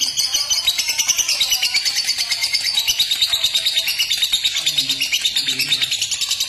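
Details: Fighter lovebird giving its ngekek, a long clear chatter used to stimulate other lovebirds into breeding mood and singing; loud, shrill, rapidly repeated notes roughly three each second in an unbroken run.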